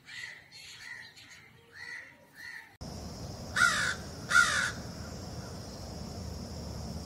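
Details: Crows calling in a natural setting: four harsh, evenly spaced caws about every half second, followed by a noisier stretch with two loud, broad bursts over a steady hiss.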